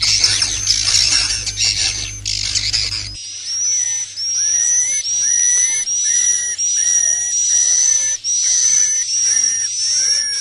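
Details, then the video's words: Swiftlet 'inap plus' lure call, played to draw birds to roost. A hissy opening gives way to high, sharp chirps and twittering clicks repeated in short bursts of about a second with brief gaps. "SUARA BURUNG WALET🐦 INAP PLUS"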